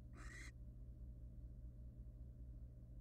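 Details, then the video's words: A single short, harsh hissing screech from a wild barn owl in a monitored nest box, followed by steady low hum. "It is all about the "Owl" Bass: Barn owl happy feet= Nice beat."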